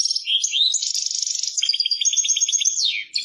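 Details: Persian European goldfinch song: fast, bright twittering of tinkling notes and short trills, a buzzy rattling passage midway, ending in a falling slurred note before the twittering resumes; no other sounds.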